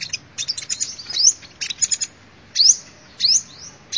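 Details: High sunbird twitter for luring birds: quick clusters of thin chirps, then a few sharp rising slurred notes spaced apart.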